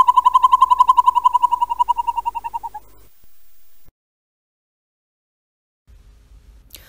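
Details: Northern Hawk Owl, a nocturnal Idaho owl, gives a rapid, rolling trill of evenly spaced hoots that holds a steady mid pitch for about three seconds, then fades out into silence.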